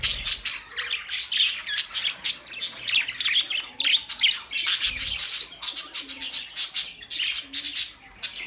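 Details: Budgerigars chirping as company for lonely birds: a continuous stream of rapid, scratchy chirps and squawks, several birds chattering at once without pause.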